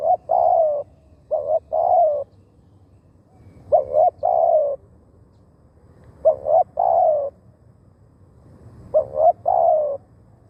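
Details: Decoy spotted dove luring wild birds with four evenly spaced phrases about two and a half seconds apart. Each is two short hooked coos followed by a longer, descending, slightly burry croo.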